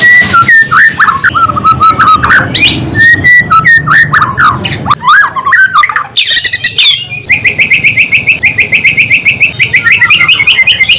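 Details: White-rumped shama song used to raise a bird's fighting spirit: slurred whistles and sharp clicks, then a long, steady series of quick repeated chipping notes.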